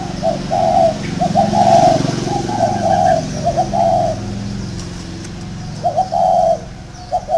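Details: Round-caged decoy spotted dove repeating short, bubbling coo phrases of several notes, then falling quiet before resuming with a longer phrase; low rumbling background noise underneath.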